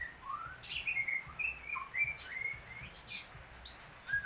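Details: Actively singing white-rumped shama with an unusual voice: quieter, clear whistled notes and short slurred strokes at mid-high pitch, spaced irregularly, with sharp high clicks in between and a faint low background hum.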